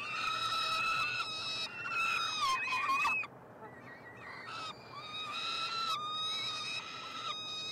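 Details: Nestling peregrine falcons being fed in a Montreal university nestbox, Quebec, on 21 June; loud hoarse screams that waver and drop, then quieter softer notes before calling resumes.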